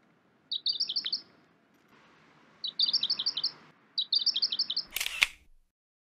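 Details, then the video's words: A pink robin sings three short, high, rapid twittering phrases, each under a second long and about a second apart, followed by a sharp camera-shutter click. "Pink Robin singing"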